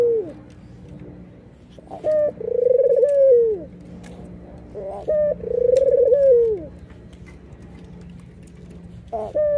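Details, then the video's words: Laughing coos from a nodding white red-eyed Barbary dove, indoors: two full phrases of short note plus rolling, downward-bending trill, about four seconds apart, with a low steady hum behind. "PUTER manapun pasti RESPON kalau sudah dengar suara puter putih mata merah ini ngangguk dan tertawa"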